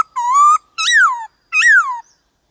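Black-throated laughingthrush singing three loud, rich whistles: a steady level note, then two slurred notes that rise and fall. Nothing else is heard.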